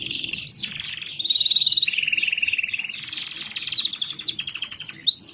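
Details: Canary song used to stimulate lazy canaries into singing: a continuous rich warble of fast trills and rolling, repeated notes, with a long steady rattle in the middle and a rising whistle at the end, over a faint low background hum.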